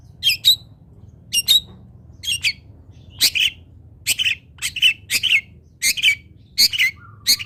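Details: Long-tailed shrike training song, played so other shrikes copy it: harsh, buzzy broadband notes in short doublets and triplets, irregularly spaced, with a faint steady tone near the end over low background hum.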